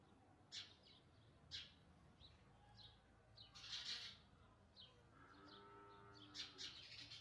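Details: Baby house sparrows calling as they are fed: sharp, noisy chirps about once a second, a louder raspy burst in the middle, then faster overlapping chirps with faint tonal sounds underneath.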